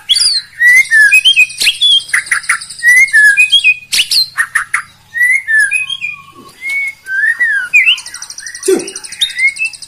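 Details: Loud, varied singing of a white-rumped shama, played to provoke rivals: fast whistled slurs, harsh buzzy trills and clipped notes tumbling in rapid phrases.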